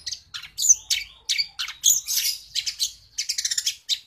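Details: Long-tailed shrike song filled with house sparrow imitations, a string of loud sharp chirps and scratchy squawks, ending in quick repeated clipped notes.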